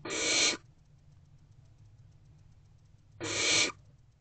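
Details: Two harsh, hissing begging rasps about three seconds apart from hungry barn owl owlets in a nest box, waiting at 6 pm for their mother to return.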